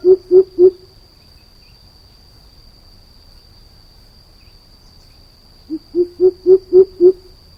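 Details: Greater coucal calling in two bouts of deep, hollow hoots: four quick low notes, a pause of about five seconds, then six more at an even pace; a faint steady high whine runs throughout.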